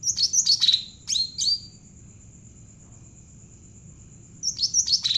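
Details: Javan bulbul known as cucak ranting, singing as a training lure: a short burst of chirps and down-slurred whistles, over two seconds of near quiet, then a final cluster of sharp notes.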